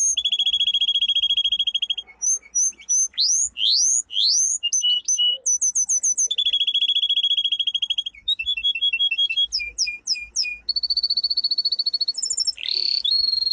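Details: Domestic canary, the pet form of the Canary Islands finch, delivering a long powerful training song: sustained buzzy trills, rising sweeping whistles, rapid repeated notes and rolling trills in varied sections.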